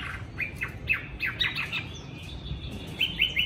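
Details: Chinese hwamei, tame and trained for fighting, kept in Hanoi on a strongly windy day, gives scattered sharp downslurred whistles in loose bursts, some paired, against a constant windy hiss.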